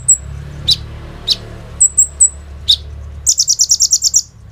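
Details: Kolibri ninja, the olive-backed sunbird, in full song used as a lure to get other sunbirds singing; scattered high thin whistles and falling chips lead into a fast, even run of about ten bright, buzzy pulses.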